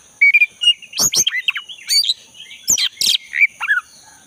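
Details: Black-breasted oriental magpie-robin in the wild, its song used to provoke a non-singing caged bird: a clear whistled note, then loud sweeping downslurs and sharp clicks in quick succession, a faint high hum beneath.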